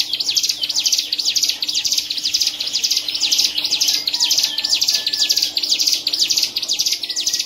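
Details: Contest-winning caged hill prinia at a Medan, Indonesia songbird event, 7 March 2019, singing a nonstop stream of high, scratchy notes, about two per second, steady and unbroken throughout.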